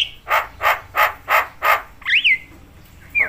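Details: Javan myna calling, said to agitate other mynas: five evenly spaced harsh squawks about three per second, followed by a whistled wavering note and a short falling whistle.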